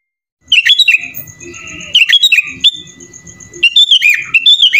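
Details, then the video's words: Sooty-headed bulbul (kutilang) in lively gacor song packed with isian, borrowed phrases: bursts of clear whistled notes rising and falling around high pitch, separated by short gaps, with a low murmur beneath. "SUARA BURUNG KUTILANG GACOR FULL ISIAN"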